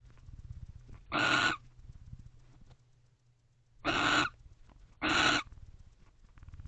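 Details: Wild barn owls in a nest box at about 12:30 am on 30 November 2023, one joining the other to guard: three harsh, hissing screeches, each about half a second long, the last two close together, over a low background hum.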